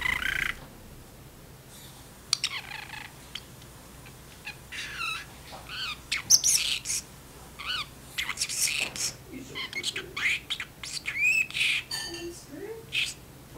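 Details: Pet parrotlet in its cage, chatting back and forth with its owner in a kitchen while dishes are washed; short bright squawks, chirps and clipped mimicked words scattered between the owner's speech, with a faint steady hum underneath.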